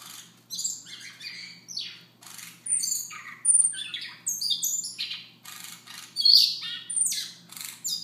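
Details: Morning soft song from a Siberian rubythroat, an energetic stream of scratchy, buzzy and whistled high notes delivered in rapid successive phrases for eight seconds, with a low hum beneath.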